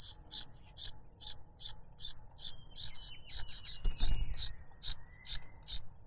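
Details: A cuckoo chick begs loudly from its foster father, which silences it with a butterfly; high, thin squeaking notes about twice a second, running together briefly near the fourth second amid a soft thump.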